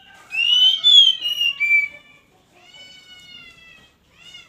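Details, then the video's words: Oriental magpie-robin calling while asking to mate: a burst of loud, clear whistled notes that slide and waver, then long, steady, thin whistles that fade, ending with a short whistle. "suara kacer minta kawin"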